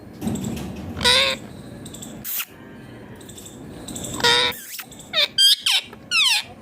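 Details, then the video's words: Newly acquired pet parrot talking with its owner indoors: harsh, ringing squawky utterances in short bursts, some rising and wavering, separated by quiet gaps, with soft background music. "My new parrot talking clear with his mummy"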